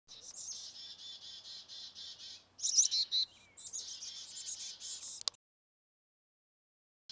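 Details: Baby birds chirping in rapid, high, buzzy bursts, pulsing steadily, then a louder squeaky flurry before an abrupt end into silence.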